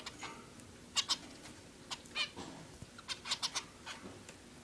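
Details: Male zebra finch building a nest for the female: short, nasal, toy-trumpet-like beeps, singly and in quick clusters of two or three, over a soft background hiss.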